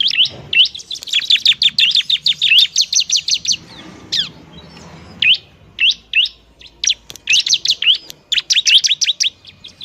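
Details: Noisy, energetic ciblek or bar-winged prinia singing to encourage lazy birds: a dense run of high chirps for several seconds, a pause, then irregular groups of sharp, upward-flicking notes.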